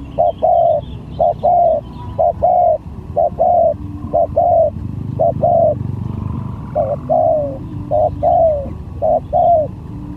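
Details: Spotted dove lure bird in a luring skill contest, repeated hollow cooing phrases, short notes leading into longer falling coos, about one per second, with a passing engine rumble in the middle.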